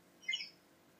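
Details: Single brief, harsh rising squawk from Australian parakeets kept indoors while they open gifts, in a quiet room.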